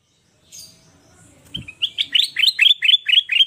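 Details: Golden sooty-headed bulbul sings a quick run of about nine bright, chirpy notes, two or three a second, after a soft thump and faint hiss.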